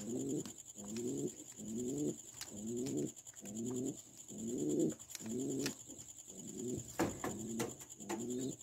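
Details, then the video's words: A pigeon gives a continuous series of soft, throaty rolling coos, about two each second, with a steady high hiss and a few faint clicks behind. "Pigeon Sound"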